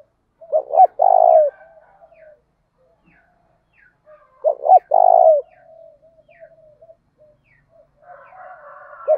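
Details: Lure spotted dove, 'thổ đồng' voice, calling to draw birds into a fight. Two phrases nearly four seconds apart, each a pair of quick coos and a drawn-out coo, amid faint soft chirps and a closing murmur.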